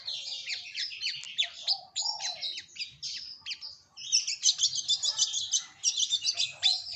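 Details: Long-tailed shrike, used as a lure recording for songbird keepers: a dense, hurried chatter of sharp chirps and short rising and falling notes, with a brief pause near four seconds before the rapid phrases resume.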